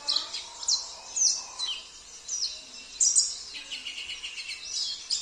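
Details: Sambas oriental white-eye singing a rich fill-in song said to include phrases of canary, cililin, kapas tembak and jenggot. High, thin, rapid twittering and sweeping whistles come in quick bursts throughout. A faint low murmur sits underneath.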